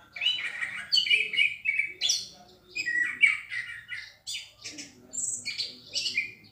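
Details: Loud, clear song of an orange-headed thrush, a continuous run of varied whistled and warbled phrases, some buzzy high notes mixed in, with brief gaps between bursts.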